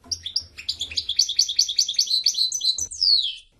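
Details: Steady rhythmic twittering of a European goldfinch, about two and a half notes a second, rising into a quick run and finishing with a long loud downward slur.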